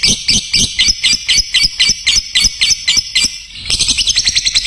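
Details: Lovebird song used as a master recording for training other lovebirds: fast, high, buzzy chattering notes repeated about four times a second, then a denser, quicker burst of trilled chatter near the end.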